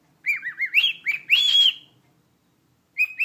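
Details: A pet cockatiel whistling "Jingle Bells": a quick run of clear, bouncy notes, then a longer rising-and-held whistle; after a pause, a few more notes begin.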